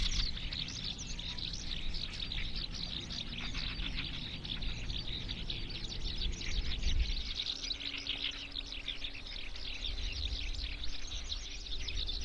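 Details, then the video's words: Eurasian skylark singing in one unbroken torrent of fast, high twittering and trilled phrases, with strong low rumbling wind noise throughout. "Eurasian skylark song"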